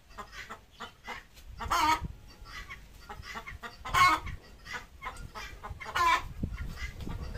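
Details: Desi hen at home during egg laying: loud, harsh cackling bursts come about every two seconds over low background thumps and soft clucks.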